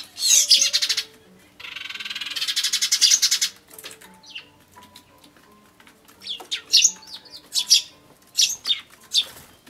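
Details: Sparrows fighting as they fly up at the start of the encounter, recorded 5 January 2013; loud broadband flutter and harsh chattering bursts, then a series of sharp high chirps and squeaks with a faint low hum beneath.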